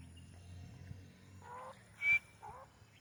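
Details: A grey francolin calling from a wall in Pakistan: three short, harsh, nasal notes, the middle one loudest and the last rising, over a low background rumble.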